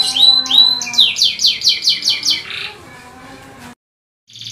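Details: Song of a canary, recorded as masteran for training other canaries. Quick, bright downslurred notes repeat about twice per second, then fade into a soft buzz, a silence, and a brief high burst.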